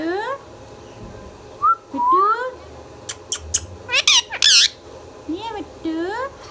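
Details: Indoor pet Indian ringneck parakeet mixing speech-like nasal syllables and rising whistles with a cluster of loud, harsh screeching squawks midway, then more speech-like arched notes.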